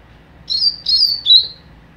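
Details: A young double-collared seedeater gives its mateiro song as three clear, high whistled notes, each sliding slightly down, the last lower and shorter, against quiet low background noise.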